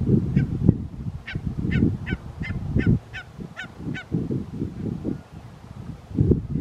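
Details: Wintering barnacle geese at Ouddorp, South Holland, the Netherlands, 27 January 2023, give short, yapping barks in a quick run, about three a second, over heavy low rumbling wind noise.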